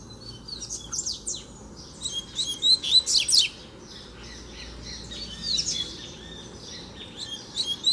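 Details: Double-collared seedeater singing, a free bird challenging a caged one during training: bursts of sharp, high twittering notes in two main phrases, then softer scattered chirps, over a steady low background hum.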